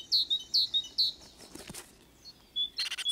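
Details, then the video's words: Great tit (Parus major), a Russian forest bird, singing three quick, high two-note phrases about every half second, followed by a brief rustle and a few more high notes. "Большая синица / great tit (Parus major)"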